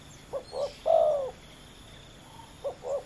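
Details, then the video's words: Male spotted doves in a fierce ground-luring contest between two rivals. Two quick low coos lead into a long, loud, slightly falling croon. After a pause, another pair of short coos begins. A thin insect hum continues underneath. "ต่อดินนกเขาใหญ่ ดุเดือดคู่นี้!!"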